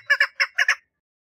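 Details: A female chukar partridge calling for mating gives five short, harsh clucks, grouped in pairs, before falling silent.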